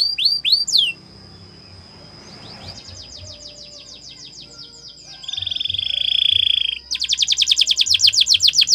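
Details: Canary training song opening with a few swooping notes, then a quieter stretch of soft rising notes, a loud hollow rolling tour, and a rapid buzzy trill at the end.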